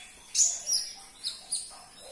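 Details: A sunbird sings, played to stir a caged bird into song: a few piercing high tweets with brief sweeping whistles, separated by short pauses.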